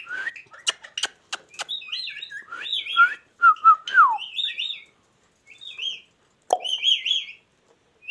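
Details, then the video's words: Ringneck parrot talking and chirping: crisp clicks, a fast string of high, twittering notes, then a clear whistled phrase that wobbles before gliding downward, ending in bright high chirps. "ringneck |talking |parrot"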